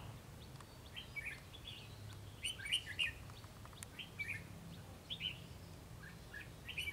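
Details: Red-whiskered bulbul with white cheeks, keen to sing, calling from a treetop: a brisk series of short chirpy warbled phrases, several per second at times, throughout the clip, with soft low rumble behind.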